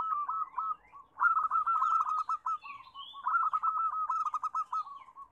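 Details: Crowded chorus of local zebra doves, played to coax reluctant doves into singing: fast rolling, trilled cooing phrases repeat and overlap, with a brief high whistle from another bird midway.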